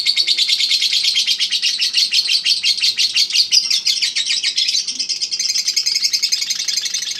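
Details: Champion contest lovebird, Eagle Head, in sustained ngekek: densely packed high chattering notes in an unbroken rattling trill, rhythm pulsing steadily and only easing slightly near the end.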